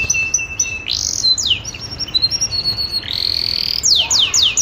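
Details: Female canary in breeding condition calling: high thin whistles and sweeping slurred notes, some steady, some sliding downward, ending in a run of rapid falling sweeps, over a constant low background hiss.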